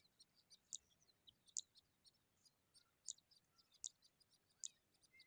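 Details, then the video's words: Skylark nestlings sitting in sunshine give thin, very high, sharp ticks spaced under a second apart, with a faint hiss of background in between. "Skylarks bird babies in the sun"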